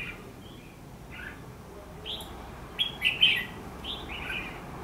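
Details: Red-whiskered bulbul singing its fighting song as a trapping lure on 14 December 2015; soft scattered chirps build to a louder cluster of bright warbled notes around the third second, then fade.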